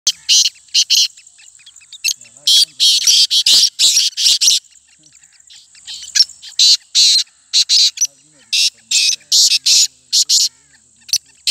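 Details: Local Black francolin, or kala teetar, calling in a contest: harsh, grating bursts of broadband notes in quick groups separated by short pauses, over a steady high-pitched hiss.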